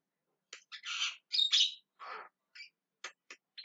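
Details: Javan myna calling loudly. Grating, noisy squawks of varied length, one drawn-out and rough, mixed with short clipped notes and a few quick, sharp chips near the end.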